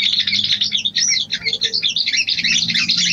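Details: Female sooty-headed bulbul calling to the male, a lure call: dense, fast high chattering and twittering notes, continuous throughout with little pause.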